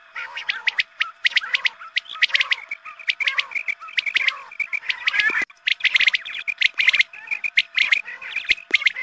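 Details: Quail calling, played at the time of the morning call to prayer to attract quail for hunting. Tight groups of high, clicking chirps recur roughly once a second, with a brief loud crackle midway.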